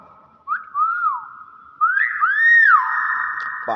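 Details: A pet hill myna talking gives clear, whistled, speech-like syllables: two short rising-and-falling phrases, then a louder arched one. A steady humming tone runs underneath.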